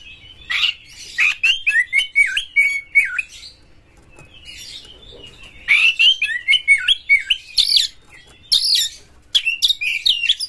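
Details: Champion Oriental magpie-robin in energetic song, tail spread, meant to provoke other magpie-robins: two long runs of fast wavering whistles and buzzy notes, separated by a short quiet gap, then sharp high phrases.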